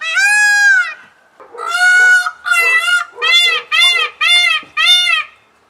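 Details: Indian blue peacock yelling loudly: a drawn-out, nasal, strongly harmonic wail, then after a pause six shorter, piercing cries in quick succession about half a second apart, each slightly rising and falling, against an otherwise quiet background.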